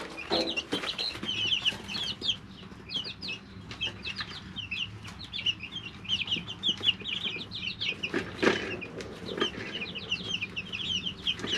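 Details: Brooder of three-week-old chicks: dense overlapping high peeps and trills from many birds, with scratching and rustling noises and a steady background hum.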